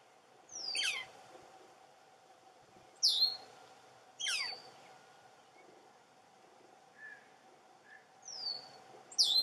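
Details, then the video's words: Juvenile Northern Flicker calling from its nest hole in a snag at the Entrance Pond, its two siblings possibly already fledged; harsh, steeply descending calls repeat about five times in ten seconds over a steady low hum. "Northern Flicker juvenile calling"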